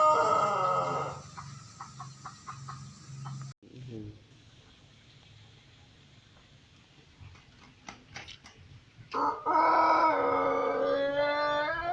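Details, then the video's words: White Pelung chicken crow. The tail of one crow fades out, followed by several seconds of quiet room sounds with a few clicks, then the strong start of another sustained, harmonic crow. "Kompliasi Langka Suara Ayam Pelung Putih Istimewa"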